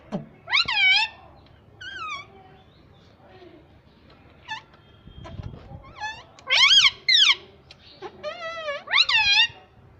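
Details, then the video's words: Pet talking ringneck parrot producing repeated loud, warbling, nasal syllables in short bursts, some paired, with soft clicks and quiet gaps between phrases. "Talking Parrot _ Cute Ringneck Parrot"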